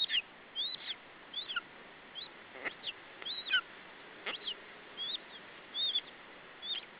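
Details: A lesser spotted eagle chick at an Estonian nest, summer 2012, protects its meal from the adult male. Soft, high whistled yelps come in loose, uneven clusters, some doubled, with faint knocks and rustling between them.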